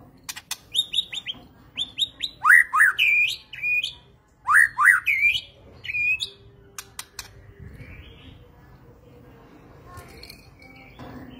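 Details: White-rumped shama singing rapid, repeated rising whistles mixed with sharp clicks and buzzy notes in energetic bursts, then falling quiet after about six seconds with only faint notes remaining.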